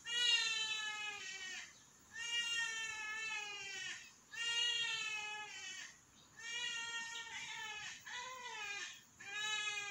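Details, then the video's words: A flock of Trumpeter hornbills gives nasal, wailing, child-like screaming cries, each lasting one to two seconds and repeated in slow bouts, with several birds overlapping. "The Child Like Screaming Call Of A Flock Of Trumpeter Hornbills"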